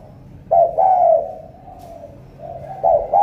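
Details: Spotted dove of the thổ cọp type from Cà Mau, Vietnam: one full two-note coo, a softer fading coo, then the start of another phrase, with a quiet background.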